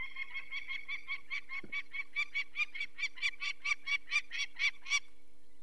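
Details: Nesting Peregrine falcon in Poland's Barycz Valley, 2 May 2023, raising the alarm as people take a chick with eye problems from the nest: some twenty rasping kak notes, steadily repeated and growing louder toward the end.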